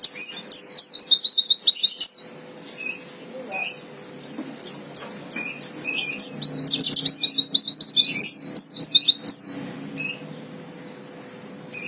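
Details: White-eye fighter song, meant to provoke a rival into singing. High, rapid twittering runs of sharp descending slurred notes come in two long bursts, separated and followed by short scattered chirps. A faint steady hum sits underneath.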